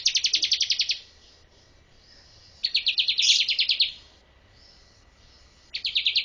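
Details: Bar-winged prinia song meant for training birds, three bursts of rapid high chirping notes, each about a second long, separated by quiet gaps.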